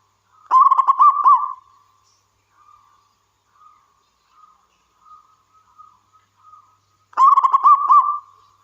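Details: Zebra dove of the local wild type singing eagerly, played to coax other doves to call. A stuttered coo ending in a long purr opens and closes, separated by a string of soft, short cooing notes.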